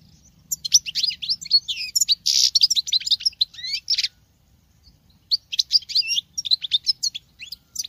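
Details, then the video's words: Female European goldfinch singing like a male, kept as a cage bird: rapid twittering phrases of buzzy, tinkling notes in two bursts separated by a short pause, with a dense trilled passage in the middle of the first burst. "Femelle chardonneret qui chante que le mâle l c'est bizarre !!!"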